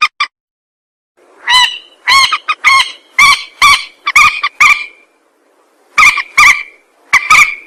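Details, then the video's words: Trapping lure of a rail: loud, strained, honking notes with a drawn-out ringing tone, repeated roughly every half second in a steady sequence. "Suara pikat burung mandar"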